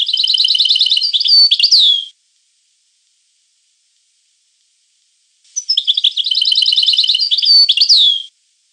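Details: European goldfinch singing two long, rapid twittering phrases of about three seconds each, made of rolling trilled notes that end in a sharp downslurred note, with a pause between them.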